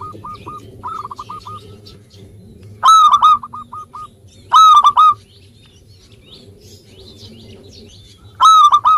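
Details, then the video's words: Actively singing local zebra dove used as a lure for birds slow to sing: brief soft cooing phrases, then three separate loud bursts of ringing coos, each followed by a short staccato tail. "Perkutut Lokal Gacor Suara Ampuh Mengundang Cepat Agar Bunyi _ Cocok Untuk Pancingan Malas Bunyi"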